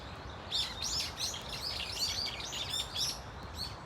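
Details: A Brown-eared Bulbul flock at Dunsan Grand Park calls in a noisy, overlapping string of piercing looped notes, steady for about three seconds, then fading out.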